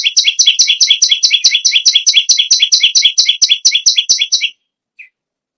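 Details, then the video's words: An energetic bar-winged prinia delivers about four and a half seconds of rapid, evenly repeated high double chirps. The song then stops abruptly, leaving one faint soft note before silence. "BURUNG PERENJAK BAWAH/LUMUT GACOR NGAMUK PARAH"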